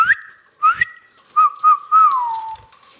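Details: Pet rose-ringed parakeet imitating sounds: clear whistled notes, the first two sweeping sharply upward, then short level whistles and a long wavering whistle that slides downward at the end.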